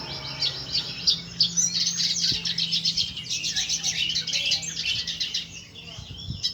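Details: Red siskin in lively full song, pouring out rapid high twitters, buzzy trills and sharp chirps in quick bursts, with a faint low hum underneath and a soft knock partway through.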